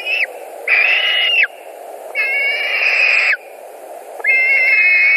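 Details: White-tailed eagles at a nest in Latvia, 2 August 2020, screaming as a carp is delivered and two birds fight over it: three long, loud, whistled screams, each held level and dropping at the end, with short gaps between.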